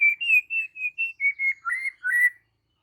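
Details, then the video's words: White-rumped shama (murai batu) giving a run of eight or so loud whistled notes, mostly level and steady, the last ones dipping and then rising. "Seketika murai batu NYAUT GACOR dan BONGKAR Muatan dengan Kicau murai ini"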